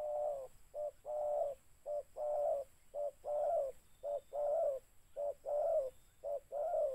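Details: A spotted dove at a mikat trapping session utters regular paired coos, a short clipped note then a fuller drawn-out one, repeated steadily about once per second with a soft background hiss.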